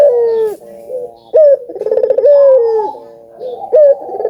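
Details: Albino collared dove (burung puter) cooing vigorously, used to prompt other doves to call: a sharp rising note, then a rapid rolling trill of pulses sliding into a long drawn-out falling coo, heard twice.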